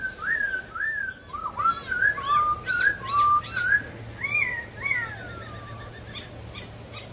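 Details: A wild laughingthrush sings a run of fluty, whistled phrases that rise and fall in short repeated slurs. A longer descending whistle follows before the song trails into faint background noise.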